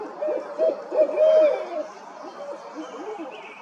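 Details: Barred owl pair calling loudly: clear, drawn-out hooting notes, one long sliding hoot near the middle, followed by a quieter stream of quick, chattering hoots fading into steady background hiss.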